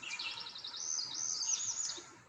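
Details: A newly arrived Northern Parula at Susquehanna sings an unusual song: a quick run of high, buzzy notes, its start resembling a Cerulean Warbler, climbing into a thin rising buzz within two seconds, over faint hiss.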